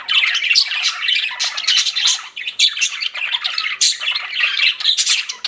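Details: Pet budgies in a lively flock chatter, layering quick harsh squawks and twittering chirps in constant overlapping bursts, busy and high-pitched with only brief dips.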